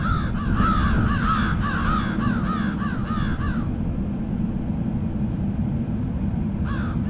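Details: A murder of crows cawing in a rapid overlapping chorus of harsh, arched notes, about a dozen in three and a half seconds, then quiet before one last caw, over low steady rumble.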